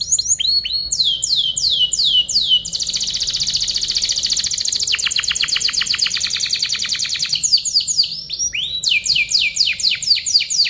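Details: Canary song used as a tutoring recording for other birds: a run of downslurred whistled notes, then a long buzzy, rapid trill lasting several seconds, followed by more sweeping downslurred whistles.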